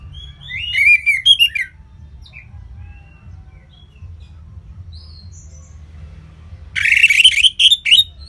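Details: Orange-headed thrush in ngeplong singing style, kept bird from Singaraja, North Bali: an opening run of bright whistled and buzzy notes, a long quiet gap with soft distant whistles, then a dense, loud closing flurry of high chirps.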